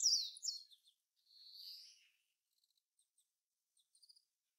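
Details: Meadow Bunting, a bird of fields, grassland and waterside in Japan, giving high, thin notes: a quick descending phrase, then a drawn-out buzzy note and a scatter of faint ticks.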